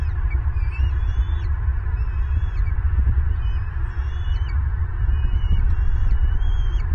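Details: Wild bald eagle pair's nest in Southwest Florida, 25 February 2023, an adult feeding a chick and turning angry on both. High, thin, piping notes come in clusters roughly every second over a steady low rumble.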